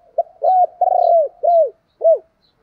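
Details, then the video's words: Spotted dove used as a calling decoy gives a five-part coo: a short note, two long arched coos, another arched coo, a pause, then a final coo, clean and close. "Tiếng chim cu gáy mồi gáy gọi"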